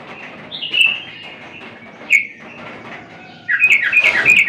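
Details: Yellow-vented bulbul singing vigorously: bubbly, warbled phrases in the middle to high range, a sharp note near the two-second mark, then a louder rapid gurgling burst at the end.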